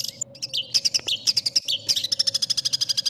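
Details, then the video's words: Long-tailed shrike (cendet) tutor song of the kind favored by contest judges: high, sharp chips and whistled notes, then a fast even series of about twenty clipped notes, over a steady low electrical hum. "suara burung cendet paling di cari juri"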